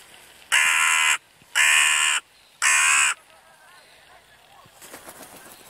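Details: Crows at evening give three strong, grating caws in steady succession, each over half a second long, then the calls stop, leaving soft rustling and faint chatter.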